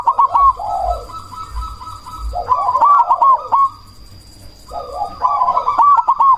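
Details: Loud-voiced black cemani zebra dove calling to provoke rival doves to answer and lift breeding drive; three strong, quickly rolling coo phrases, each a burbling run of notes, separated by brief pauses.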